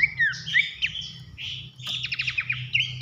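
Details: Abbott's babbler in a masteran tutor recording for training contest songbirds, loud nyiul whistling with nembak bursts: short whistled downslurs, a squawky note, then a quick buzzy stutter of clicks, over a low steady hum.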